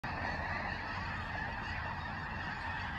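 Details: Snow geese in the Skagit area in October 2023, a large flock giving a dense, continuous chorus of overlapping honks with a steady low rumble underneath.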